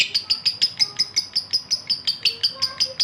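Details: Breeding male lovebird calling a female: rapid, regular high-pitched chirps, roughly five per second, each a short bright note, continuing throughout.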